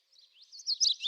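A common yellowthroat's song: rapid, high, jumbled chirpy notes sweeping between about three and eight kilohertz, growing louder toward the end of a brief phrase.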